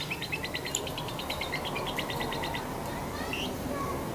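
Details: A lovebird, played as a lure recording to get other lovebirds singing, gives a quick run of about sixteen sharp, high chirps over two seconds, then a lone rising whistle, against steady low rumbling noise.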